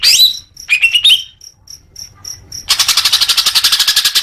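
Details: Greater green leafbird, recorded as a singing cue for caged birds: sharp upward whistles and slurred notes, a run of evenly spaced high ticks, then a dense fast rattling trill.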